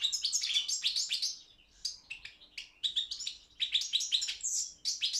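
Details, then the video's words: European goldfinch of subspecies balcanica, recorded for a Serbian online world singing championship; lively chattering twitter, quick sharp chirps and sliding whistles, slowing to spaced notes midway before speeding up again. "World Championship in Goldfinch Song"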